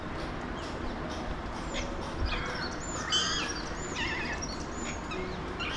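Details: Alexandrine parakeets, also called mountain or pahadi parrots, watched from a window in Mumbai, India; short warbling, squeaky chirps come in scattered bursts, some rising or looping, over a steady hiss of city background noise.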